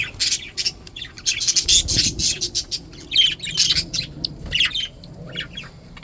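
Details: Healthy, happy budgies chattering busily: dense, bright, scratchy chirps and squeaky warbles in quick irregular bursts, almost without pause.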